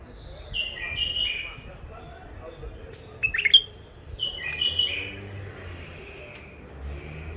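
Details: Caged wild bulbuls, an old catch from Mandali crossing held in first isolation, deliver repeated rich warbling phrases, a clipped burst of sharp notes partway through, then softer trailing whistles, with low rumbling background.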